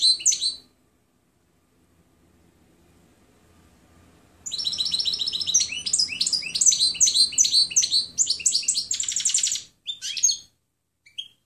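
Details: Clean European goldfinch song recorded for training other birds: a brief twitter, a quiet pause with faint low hum, then a long fast run of liquid, tinkling and buzzy high notes lasting about six seconds.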